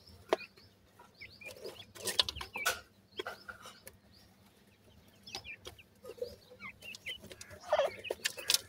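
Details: White francolin chicks at feeding time cheep in short high slurred notes, bunched in bursts, with loud rustling and tapping noises in between.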